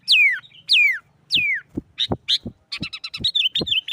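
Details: Sooty-headed bulbul in loud, aggressive fighting-style song used to provoke other bulbuls: three clear whistled notes sliding steeply downward, then a jumble of short chattering notes mixed with sharp broadband clicks or knocks.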